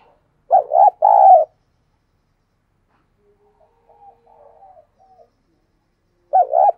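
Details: Decoy dove calling wild doves: two short, hollow coos, a pause filled with very faint soft murmuring notes, then another pair of rounded coos at the end.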